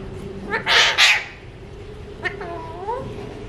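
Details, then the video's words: A talking Alexandrine parakeet gives two harsh, raspy bursts, then a few clipped, speech-like syllables with rising and falling inflection, over a faint steady hum. "Alexandrine Talking Parrot"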